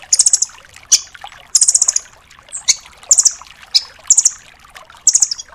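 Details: Velvet-fronted nuthatch ('rambatan doraemon'), a 'tembakan' tutor recording. Short, high, rapid trills repeat about twice a second, alternating with isolated sharp notes.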